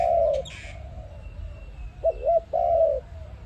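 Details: ARIMIX dove recorded for use as a trapping lure: the tail of a long coo, a pause with faint chirps, then a full phrase of two short hooked notes and a drawn-out coo.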